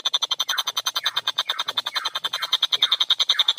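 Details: Long-tailed shrike singing briskly with a clear voice: one unbroken stream of loud, scratchy, buzzy notes, roughly seven a second, each with a bright ringing top.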